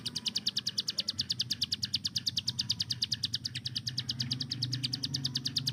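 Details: Rapid machine-gun 'tembakan' song of a hill prinia used as a training tutor for other songbirds: a steady, unbroken run of sharp high clicks, roughly nine each second, over a faint low rumble.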